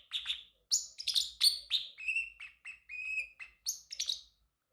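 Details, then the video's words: A male Pacific parrotlet kept as a pet sings a varied sequence: rapid high chirps, then several clearer, steadier whistled notes, ending in more quick chirps, with no other sounds. "Parrotlet Talking ✨️ Cute Funny Sounds"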